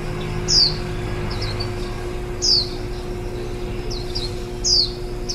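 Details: Warbling white-eye at the nest, 23 July 2018, with ten-day-old nestlings due to fledge the next day. Clear, piercing, downward-sliding notes recur about every two seconds, each trailed by quieter chirps, over a low drone.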